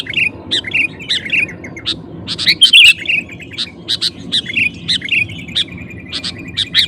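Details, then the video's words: Sooty-headed bulbul in vigorous song aimed at provoking competing males, with scattered sharp chirps and short rolling warbles repeated throughout and a louder burst near the middle, over low background hum. "Suara Burung KUTILANG GACOR Memancing Lawan Kutilang Lain Emosi Ikut Gacor"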